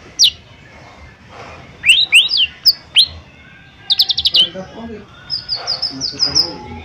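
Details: Caged cucak ijo mini (lesser green leafbird) used to lure other birds into singing: upward-sweeping whistles, a fast run of about six clipped notes, then a high, thin, wavering trill.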